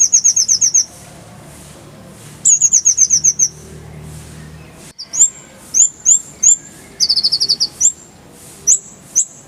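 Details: Purple-throated sunbird (kolibri ninja) tutor song with full fills and rolling bursts, clear voice: high buzzy trilled phrases sliding downward, then sharp upslurred whistles repeated in quick succession with short pauses.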